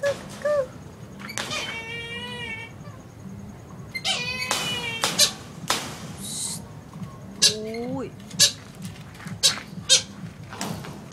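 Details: A Philippine eagle (Pithecophaga jefferyi) makes an odd, funny-sounding call: a few drawn-out, nasal, quavering whistles, one rising sharply at the end, with scattered clicks and a low background hum.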